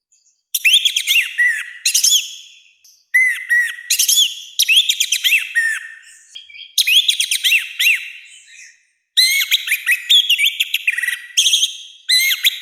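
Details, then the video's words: Orange-headed thrush delivering loud, harsh song meant to provoke other birds into singing: repeated bursts of rapid, sweeping whistled notes and scratchy rattles, separated by short pauses. "ANIS MERAH GACOR NGEPLONG, SUARA KASAR KERAS ++ COCOK UNTUK MASTERAN DAN PANCINGAN BURUNG KITA"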